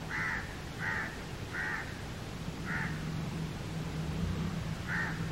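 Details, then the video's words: House crow (Indian crow) cawing naturally: five harsh, nasal caws, spaced unevenly over about five seconds, over a steady low rumble of background noise. "CROW CROWING Sounds Naturally | Crow Sounds | Crow bird Cawing Voice"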